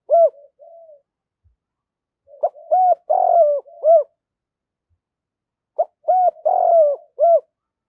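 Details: Male and female spotted doves calling, used to stimulate training doves to coo sooner: low, mellow hooting coos in clustered phrases of four to five notes, with a pause of nearly two seconds between phrases, in a quiet setting.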